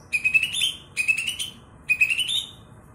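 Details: Greater green leafbird, a very loud-voiced former song-contest bird, giving loud, bright phrases of about half a second, each a rising whistled note with harsh chattering overtones, repeated roughly every second.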